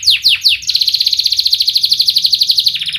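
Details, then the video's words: Canary singing as a lure for young canaries learning to sing: three sharp descending whistled sweeps, then a fast, dense trill of high chirps repeated about four times per second, ending in a lower rolling phrase. "Kenari Gacor speed Rapat WIT Wit Tajam Cuit cuit ngeroL, pancingan kenari PAUD BELAJAR BUNYI"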